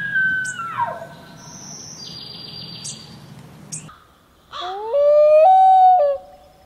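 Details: A common loon (Gavia immer) gives a long, mournful wail that climbs, holds steady, then dips, after an earlier sliding, falling whistle over a low background hum.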